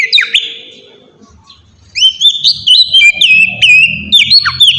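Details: Oriental magpie-robin singing to draw a response from rival birds: a bright whistled phrase, a pause of nearly a second with faint low hum, then a steady stream of rising and falling whistled notes.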